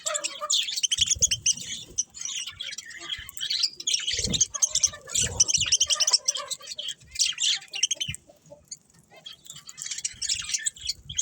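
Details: Several budgerigars chirping and warbling in dense, overlapping high twittering bursts, with a short quieter gap near the end and faint low thumps beneath.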